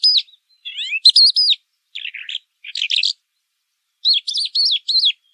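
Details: Pailing bird singing pekling: bright looping whistled notes in groups of three or four, a few lower scratchy chirps, a pause, then the looping whistles again.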